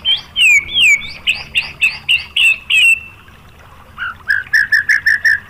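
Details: White-rumped shama, called murai batu, singing to prompt other shamas: a series of loud, repeated downslurred whistles, a short pause, then a quicker run of lower repeated notes.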